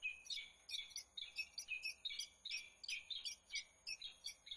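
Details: A peregrine falcon's loud, excited chatter from Włocławek, Poland, on 15 January 2013. Dense, grating calls follow one another almost without a break for over four seconds. Faint high-pitched tones linger underneath.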